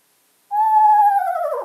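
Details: Eastern screech-owl (Megascops asio) call played back: a clear, mid-pitched held note that slides downward at the end, a horse-like whinny.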